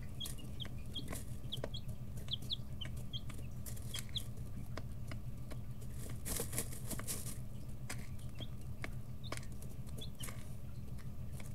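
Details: Young chicks, 11–13 days old, in a brooder: scattered short high peeps come in small bursts between pauses, mixed with scratching, rustling and a brief flutter of wings over a low hum.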